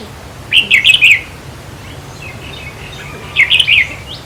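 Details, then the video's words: Red-whiskered bulbul song played to excite caged birds: two short bursts of bright, warbling, slurred whistles about three seconds apart, over a steady background hiss and low hum. "ต่อเพนียดนกกรงหัวจุกแก้มแดง เปิดให้นกฟัง ยั่วให้นกคึก"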